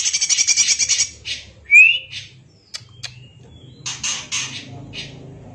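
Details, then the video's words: Greater green leafbird (cucak ijo) singing in kacer-like style as a training recording: a harsh rattle, a sharp upslurred whistle, then scattered clicks and short rasping chatters over a faint low hum. "Burung Cucak Ijo Gacor Suara rapet - cucak hijau Gacor rasa kacer |Masteran CUCAK IJO Juara"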